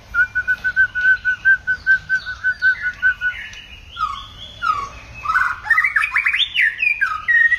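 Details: White-rumped shama singing in many voices: a quick run of clear whistled notes, about six per second for three seconds, then breaks into varied, richer rising and falling whistled phrases.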